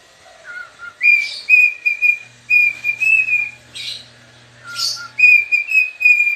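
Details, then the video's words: Pet cockatiel dancing and singing: a low dipping whistle, then repeated long level whistles separated by short harsh bursts, with one lower note near the end and a soft hum behind. "Dancing (Rubbing its tail and....) and Singing - Pica the #Cockatiel"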